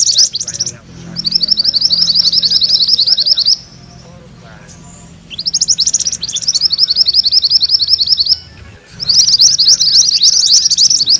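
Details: Three long rolling bouts from a mantenan kuning, each a fast, high, buzzy chatter of repeated notes, separated by seconds of near silence.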